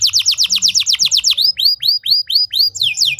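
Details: Canary training song meant to make other canaries sing freely: a quick series of sharp descending chirps, then slower, spaced, downward-curving whistles about twice per second.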